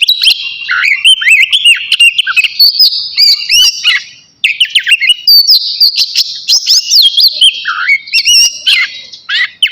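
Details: Oriental magpie-robin, navy type, singing hard before bathing; long, rich strings of whistled and scratchy notes, with one brief break near four seconds before the song resumes.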